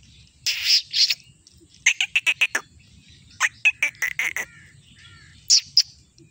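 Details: Black francolin from Sindh, Pakistan, giving harsh, grating calls: an early pair of rasping notes, then two quick bursts of five or six clipped, scratchy notes each, and a last brief pair near the end, with a faint low hum behind.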